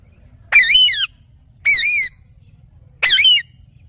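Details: Loud parrot squawks, three of them, each a raspy, rich half-second screech that rises then falls in a wavy contour, evenly spaced over about four seconds against a quiet low hum.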